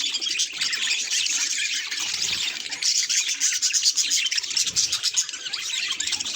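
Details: Pet budgerigar reacting to a mirror, giving a dense, unbroken warbling chatter of high chirps and squeaks with quick fluttering notes throughout.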